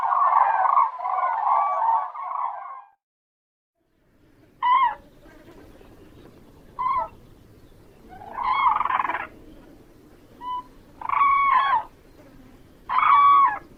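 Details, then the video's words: Crane (Grus) calling: a sustained harsh, rolling burst, a pause, then a series of short trumpeting notes spaced about one to two seconds apart over a low background hum. "Голоса птиц как поёт Журавль (Grus)"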